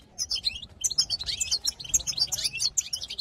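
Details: European goldfinch song, recorded in 2022 and used to excite other goldfinches: a fast, unbroken tumble of high twittering, tinkling and buzzy notes with a faint low hum beneath.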